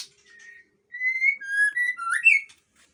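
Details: Raging male white-rumped shama, Aceh type with a long tail, delivering clear ringing whistles: level notes and sliding slurs that step up and down, ending in a quick rising flourish.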